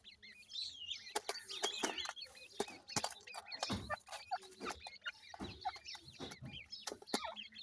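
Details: Grey francolin chicks calling their mother: many quick, high, downward-slurred peeps from several chicks overlapping, mixed with frequent sharp clicks and knocks.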